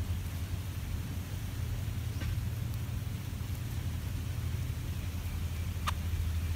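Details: Steady rain-like hiss over a deep rumbling hum, with a couple of faint clicks and no animal call.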